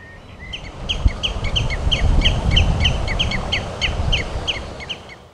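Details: A young Common Redshank in the Amsterdamse Bos, between the Bosbaan and Nieuwe Meer, begs for food with an incessant, steady string of short, high piping notes, about three a second, while a parent watches from a fence; distant traffic rumbles.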